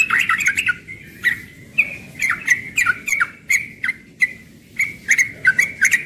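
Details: Young yellow-vented bulbul in morning ropel song, a quick chattering opening followed by a steady train of bright slurred chirps roughly twice a second, each note dropping in pitch.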